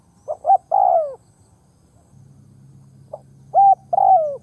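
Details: Decoy spotted dove cooing to lure wild doves: two short soft notes, a pause, then a long falling coo, then after a gap a short note, a flat coo and another long falling coo, over a steady low hum.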